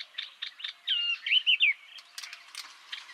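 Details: Yellow-eyed babbler (Chrysomma sinense), song.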